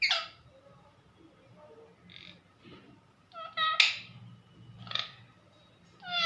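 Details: Domestic parrot calling for its mummy: a series of harsh, raspy squawks and short nasal voice-like calls, irregularly spaced about once a second, with softer muttering between bursts and a steady faint hum.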